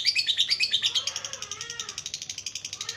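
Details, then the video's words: Lovebird ngekek for prompting reluctant birds: bright, sharp chattering notes at the start that settle into a steady fast pulsing trill, with a faint lower warble behind. "MASTERAN NGETIK LANJUT NGEKEK // PANCINGAN LOVEBIRD YG MALAS BUNYI DAN LABET JADI RAJIN DAN GACOR"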